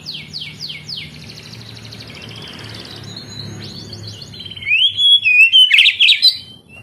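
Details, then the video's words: Oriental magpie-robin song aimed at making lazy young canaries sing: rapid downward sweeps and a soft buzzy stretch, then a loud, jumbled burst of whistles and rasping notes in the final seconds. "Terapi Kacer tercepat"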